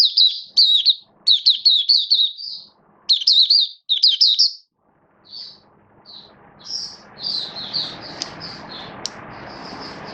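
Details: Caged-hobby oriental white-eye in build-up form, 19 September 2022, pouring out quick, high, zigzag warbled phrases, then softer, more spaced chirps as a broad hiss of background noise rises.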